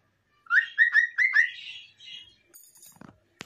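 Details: Singing cockatiel kept with a green parrot, giving four loud upslurred whistles in quick succession, a fainter warbled trailing note, then a few soft high chirps and a sharp click at the end.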